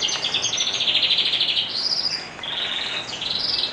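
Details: Canary in the morning delivering a fast, steady, buzzy trill, then sliding into higher whistled rolls and a fresh burst of rapid notes after a short dip.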